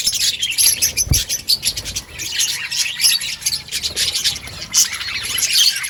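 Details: Many budgies calling together in an outdoor colony, constant high-pitched twittering and scratchy warbling, a soft thump near the start.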